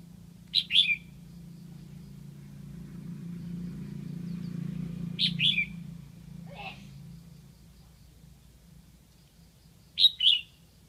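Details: Red-whiskered bulbul kept as a Lạng Sơn decoy calling wild birds in, giving short two-note whistled phrases about every five seconds over a low steady hum, with one softer call between.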